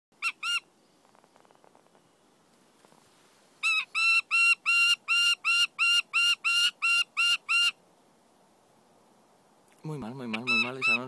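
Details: A captive-raised peregrine falcon mantling its food gives one harsh note, then a run of about twelve grating, high-pitched calls at three per second; a man's voice follows.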